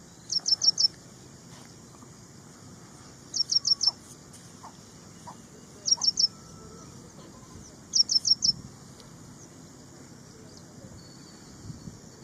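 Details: Ashy prinia delivering short bursts of four fast, high, sharp notes, four bursts spaced about two to three seconds apart, with quiet intervals and faint low background noise between them.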